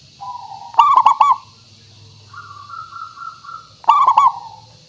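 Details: Local zebra dove singing, used as a lure to get birds to respond. Two loud rolled, stuttering coo bursts frame a softer, level, sustained coo from a second dove. Steady low hum throughout.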